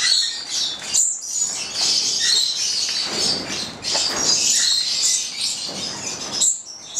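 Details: Pair of nine-month-old Papuan lorikeets (goliathina), bred in Italy and kept captive; dense, rapid, high-pitched twittering and squeaks running throughout, with occasional piercing peaks.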